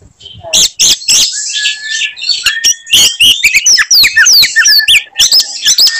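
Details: Oriental magpie-robin (kacer) in combative song, using signature 'tembakan' shots to provoke rivals: rasping bursts, then a level whistle and a quick series of bright, sweeping whistled notes and clicks.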